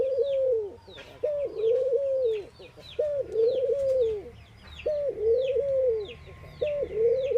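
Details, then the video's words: Indian ring-necked dove cooing at dawn-time activity, five steady, rolling coos repeated about every 1.8 seconds, backed by constant high twittering of small birds. "Ringneckdoves calling sound !! Indian Birds Dove morning activity Doves cooing"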